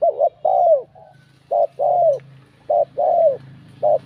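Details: Spotted dove with a bell-like voice cooing to provoke rival males: paired mellow coos, a short clipped note then a longer falling one, repeated about every second and a quarter, over a steady low hum.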